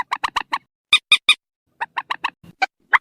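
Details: Purple swamphen calls for luring birds into nets after dark, October 2024: three quick sets of short nasal notes, louder bright notes between, ending with a rising squeal.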